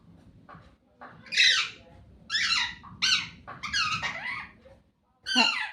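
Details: A pet talking Alexandrine parakeet, conversing with its owner indoors about going outside before rain, gives five short, high, nasal speech-like phrases with squeaky rising and falling inflections, separated by brief pauses, over a faint room hum.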